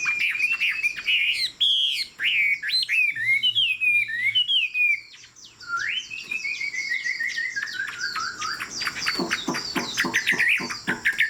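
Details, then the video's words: Chinese Hwamei, tame, fig-leaf tail, singing from a high perch: loud looping whistles and sharp notes, a pause, then a long descending whistled series breaking into rapid clicks and trills. "Họa mi thuần, Đuôi lá vả, Chim hót cao cầu"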